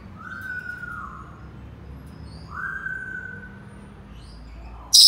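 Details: Senegal parrot whistling: two smooth, mid-pitched, nearly level whistles, each lasting about a second and spaced about two seconds apart, then a sudden sharp burst of noise at the very end.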